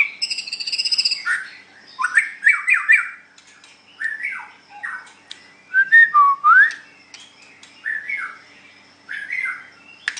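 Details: White-rumped shama singing in a contest: a high harsh trill opens, followed by repeated descending buzzy whistles and one clear rising slur, phrases spaced by short silences.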